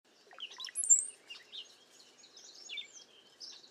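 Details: Cowbirds, a bunch sheltering in a safe place during bad weather and strong wind, give liquid, gurgling notes that jump to a thin, high whistle, followed by scattered squeaky chatter from several birds.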